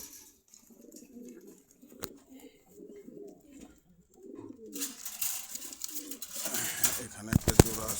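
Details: Market pigeons in Meradia, Khilgaon, Dhaka, murmuring soft, low rolling coos for several seconds before a burst of loud rustling, wing flaps and handling noise takes over.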